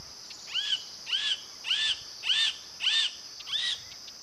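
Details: Roadside hawk calling in Brazil. Six short, arched, nasal high calls come at a steady pace of about one every 0.6 seconds, each with a fainter lower echo band, over a quiet background with a thin steady high hum.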